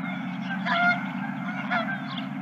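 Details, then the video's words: Geese at a ranch in late March, two nasal honks about a second apart rising out of a softer murmur of distant calls and a steady low hum. "Geese and more Geese"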